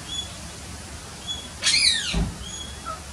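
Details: A shy Pale-headed Rosella, one of several visiting after a long absence and about 25–30 feet away, gives one harsh, shrill, downward-sliding screech over faint thin whistles from other birds and a soft low thump; 5 August 2016.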